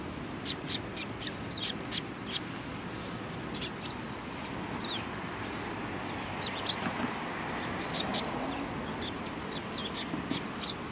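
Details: A flock of sparrows at a Tenmangu shrine chirps in scattered bursts, busiest at the start and again near the end, against a steady low background of distant traffic-like rumble.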